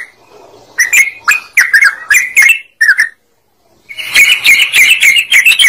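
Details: Yellow-vented bulbul singing as a lure for other birds: a run of rapid, bright chirps, a short silence, then a denser, steady burst of bubbling notes.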